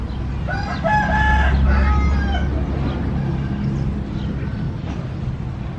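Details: A chicken crow in the opening seconds, a rough stepped call ending in a held note, partly masked by strong low-pitched rumbling noise that continues afterwards.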